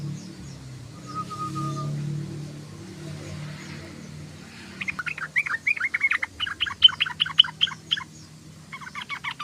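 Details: Sooty-headed bulbul chattering: after a few quiet seconds with a low hum and a faint whistle, a fast burst of short rising and falling chirps repeats rapidly, then resumes near the end.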